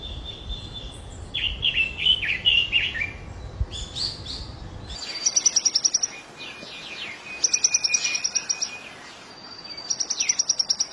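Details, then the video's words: Birds calling: warbled, twittering phrases give way to fast, high, rattling trills repeated in bursts of about a second, with soft background hum. "Natural Beautiful Real Sounds of Birds"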